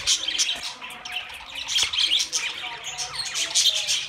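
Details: Budgerigars chattering: a dense, continuous tangle of bright chirps, squeaks and warbles high in pitch, overlapping voices with brief louder bursts throughout.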